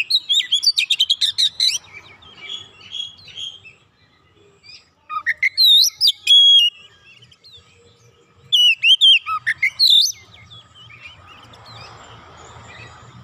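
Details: Oriental magpie-robin, provoked and singing emotionally with its full repertoire: bursts of rapid sharp chirps and looping whistles in three loud bouts separated by quiet pauses, ending in soft hiss.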